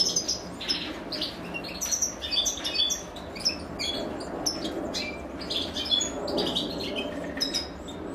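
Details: Begging nestlings of a European goldfinch, fed by their mother: a scatter of thin, high twittering notes and short chirps, uneven in rhythm, over a steady mid-pitched background hum.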